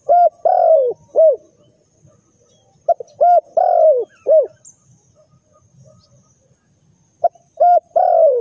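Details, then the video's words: Spotted dove used as a lure for bird trapping, giving loud repeated cooing phrases of two or three mellow coos, the last drawn out and falling, with short pauses between phrases; a quiet background otherwise. "The Sound Of A Spotted Dove is very good"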